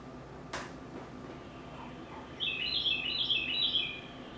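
A Carolina Wren gives a quick burst of bright, rapid, repeated notes, high and rattling, like a car alarm; a soft click and faint room noise come before it.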